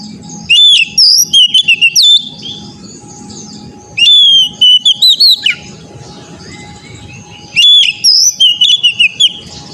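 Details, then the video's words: Three loud bursts of Oriental magpie-robin song, used as therapy audio for young untrained birds, arrive about every three to four seconds. Each is a run of bright whistles with steep up-and-down slurs, with steady hum and low noise between. "TERAPI KACER BAHAN AGAR CEPAT GACOR NGEPLONG"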